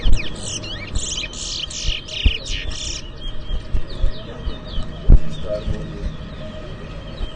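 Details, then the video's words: Towa towa (chestnut-bellied seed finch) whistling in an inter-zone bird whistling competition in New Amsterdam, Guyana: rapid bright whistled notes and sweeping slurs in a dense burst for the first three seconds, then softer trailing phrases, with thumps and crowd noise. "INTER-ZONE TOWA TOWA BIRD WHISTLING COMPETITION IN NEW AMSTERDAM"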